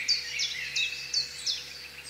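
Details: Black kite calling: a quick series of high, sharply falling notes, about two per second, with a faint lower trill beneath and a steady background hum.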